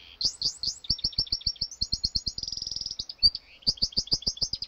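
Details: Practising canary-goldfinch hybrid delivers a varied high song: swept chirps, rows of clipped repeated notes, a fast buzzing roll, a single loud accent, then more upswept chirps in quick succession.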